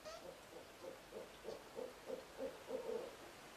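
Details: Barred owls during a food exchange, the male giving a mouse to the female; soft, rapid series of low hooting pulses, about three per second, growing slightly louder toward the end over a hissy background.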